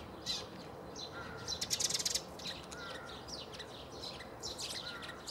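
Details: Tree sparrow at Bundek, Zagreb, Croatia, on 9 March 2015, giving quick high chirps in loose bursts, briefly clustered into a dense chatter, while thin calls from other birds and a low rumble carry underneath.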